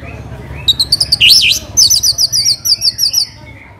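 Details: Orange-headed thrush lure song: a fast trill of high, even notes, a loud zigzag whistled flourish, then a second rapid run of about ten sharp repeated notes fading away.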